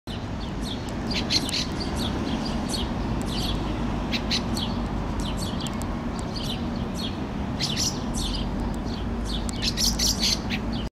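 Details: A fieldfare (Turdus pilaris) fledgling on a lawn in Helsinki, Finland, in June 2013 gives short, high, scratchy notes in irregular bursts over a steady low rumble.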